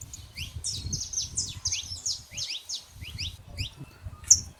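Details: Free-living saffron finches out in nature, a dense run of sharp downward and upward chirped notes from several birds together, ending with one loud high note, against low background rumble.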